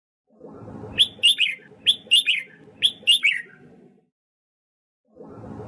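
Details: Red-whiskered bulbul being trained to sing, giving three rapid phrases of loud, liquid whistled notes, each phrase a quick rising then falling triplet, with low background hum and a pause before a new sound begins.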